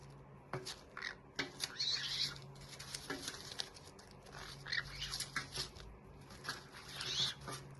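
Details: Two pet green-cheeked conures squealing while playing and getting a bit naughty: bursts of harsh, high-pitched squeals and squawks scattered across the recording, over a steady low indoor hum.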